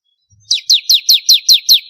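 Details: Bar-winged prinia singing energetically, recorded as a master track for training contest birds: seven sharp, bright, downslurred chips in quick succession, each dropping from high to lower pitch, about five per second, with an otherwise quiet background.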